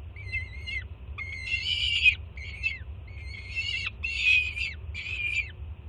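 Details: Peregrine falcon youngster on a Jersey City nest ledge, June 2017, loudly begging as the first-time mother arrives with breakfast. Roughly six grating, harmonic screams of mixed length, separated by short pauses, over low hum.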